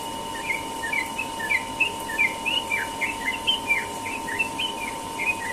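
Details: Sooty-headed bulbul singing its rapid morning ropel-style song: a fast run of short chirpy, slurred notes, some rising and some falling, tumbling almost without pause over a steady hum in the background.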